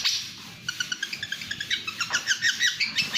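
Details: Champion pentet (long-tailed shrike) in speed song, opening with a short harsh burst, then a steady series of quick clipped chirps repeated about three per second, growing louder toward the end.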